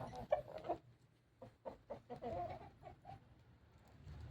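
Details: Rooster suspected of constipation, straining and making strange sounds: a few short, rough clucking notes spaced irregularly over a low background rumble.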